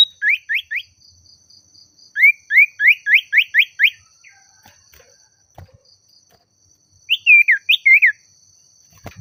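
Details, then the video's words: Agitated Oriental magpie-robin, said to be calling a rival, repeating short sharp upslurred whistles, three then seven in a row, a pause, then a final cluster of looping slurred notes; a faint background hum and an occasional click. "Suara Burung Sirtu/Cipoh Gacor Memanggil Lawan Bikin Emosi"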